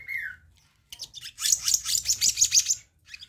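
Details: Black-naped monarch recorded as a lure to provoke other birds to answer: a short falling whistle, then a burst of rapid, harsh, high chattering notes over about one and a half seconds.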